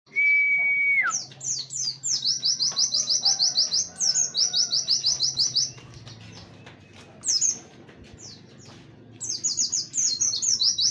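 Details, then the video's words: Training song for songbirds from a warbling white-eye in 'tembakan wit wit kenari' style: a level whistle falling at its end, followed by quick trains of shrill, high chips, a lone note, then more rapid chipping. "pleci tembakan wit wit kenari cocok buat masteran"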